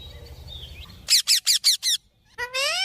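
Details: A parrot described as talking nonstop gives five quick, sharp, buzzy chirps in a row, then a short pause and a longer, rising, harmonic call. A faint low rumble sits underneath.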